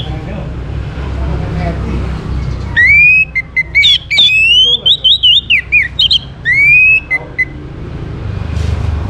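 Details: Orange-headed thrush song, used to get other birds singing. A long varied outpouring of rich whistles, a rising slur, then a rapid run of looping, warbling notes and a final swelling whistle, against a low background rumble.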